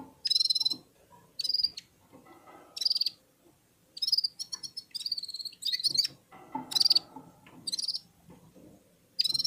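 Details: Red-fronted serins singing together with other birds: repeated brief high, buzzy twittering phrases, some with a quick downward slur, coming every second or so with little background noise.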